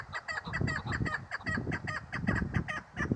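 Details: Female chukar partridge giving fast, repeated clucking notes, about three each second, over strong low rumbling background noise.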